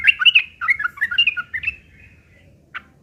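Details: Harsh fighting song of a sooty-headed bulbul, meant to lure other bulbuls into answering; a quick tumbling chain of about a dozen bright, slurred whistles fading out, followed by one isolated note.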